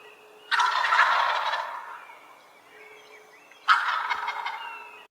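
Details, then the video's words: A wild turkey gives two loud, rapid, rattling gobbles about three seconds apart, each dropping off in a quick tumble of notes over a faint steady hum; the gobble serves courtship, attracting a mate and males' defence of an area. "Let's listen to an audio file of a wild turkey gobbling."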